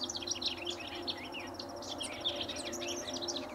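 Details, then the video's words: A vocal House Wren sings incessantly near a riparian area at Linscomb W.A., pouring out a rapid, bubbling jumble of high chattering and trilled notes over a steady low hum, with a White-eyed Vireo vocalizing in the background. "House Wren Singing"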